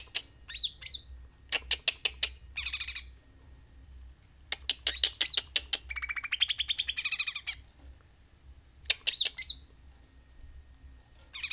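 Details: Sooty-headed bulbul in busy song: bursts of sharp, high chirps and quick stuttering trills, with a lower rattling run near the middle, over a faint steady low hum.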